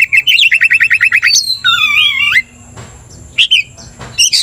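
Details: Lively 'gacor' kacer, an Oriental magpie-robin singing to rile another bird: a fast series of about a dozen even chipping notes, then a wavering doubled whistle, and a few high sharp notes after a pause.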